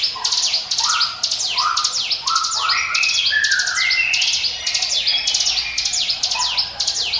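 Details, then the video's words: Prinia known locally as ciblek gunung, singing "ngiwit wit" for use as a lure: a steady stream of sharp downward-sweeping high notes, repeated quickly, over lower rising whistled slurs throughout. "NGIWIT WIT SUARA CIBLEK GUNUNG"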